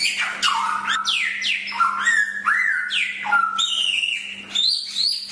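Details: Song of a Chinese hwamei used as training material for other birds: clear, ringing whistles that drop steeply then level off, alternating with short rising slurs and a high held note near the end; low hum throughout.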